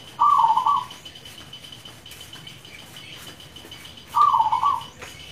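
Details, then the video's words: Local zebra dove (perkutut lokal) song: two short, rapid, rolling coo bursts about four seconds apart, with a steady thin high-pitched tone running in the background. "Pancingan ampuh perkutut lokal gacor"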